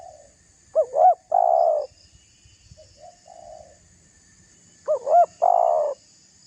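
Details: Spotted dove calling to provoke a rival: two loud phrases, each two quick rising notes then a drawn-out burry coo, with a quieter answering coo from a more distant dove between them.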